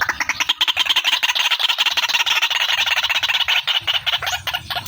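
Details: Lure recording of a female white-breasted waterhen: continuous rapid, buzzy, chattering pulses, shrill and grating throughout, with no pause.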